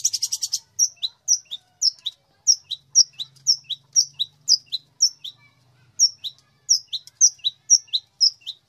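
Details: Long-tailed shrike master chirping: after a brief rapid rattle, clear high two-part notes, each a sharp falling whistle followed by a lower slur, repeated about twice per second with short pauses between series.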